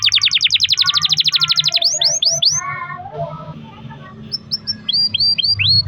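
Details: Canary in full song, played to spur other canaries into singing: a fast train of repeated descending whistled notes, a few looping slurred sweeps, a lower warbled passage, a quiet pause, then spaced rising-falling whistles.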